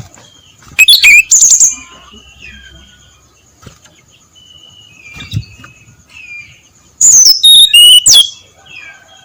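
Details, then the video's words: Brown-chested jungle flycatcher singing at dawn: two loud, overdriven bursts of rapid high whistled notes sliding downward, several seconds apart, with quieter scattered thin whistles between and a steady high hiss throughout. "SUARA SRDC NGEPLONG PAGI BUTA"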